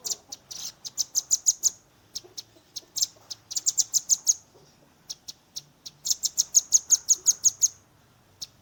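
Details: Young velvet-fronted nuthatch in tembakan, a rapid shooting style, recorded with a Redmi 10 phone: bursts of piercing high chips run into fast trills of about ten notes, separated by brief pauses.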